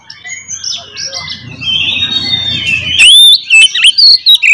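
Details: Oriental magpie-robin in full fighting song, used to provoke rival magpie-robins: after soft background chirping, loud piercing whistles with rising and falling slurs and sharp clipped notes burst out in rapid succession.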